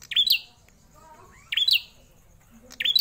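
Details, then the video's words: Prinia locally named prenjak klawu, a captive bird kept over four years, gives three sharp, high, twisting chirps spaced more than a second apart, with faint softer notes between them. "Prenjak klawu gacor, suara lantang mental juara"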